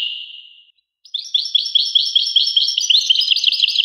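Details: ['European goldfinch singing: a high tone fades out, then after a gap a rapid, bright twitter of repeated chirping notes carries on steadily to the end.']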